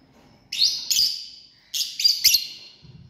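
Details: A family group of lovebirds: a loud, piercing screech that trails off, then a quick cluster of three harsh chirps.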